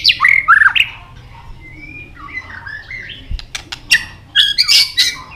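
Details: Excited, tail-flicking white-rumped shama singing a many-voiced song: loud tumbling whistled notes, a level whistle, rising and falling phrases, sharp clicks, then a burst of high squeaky notes.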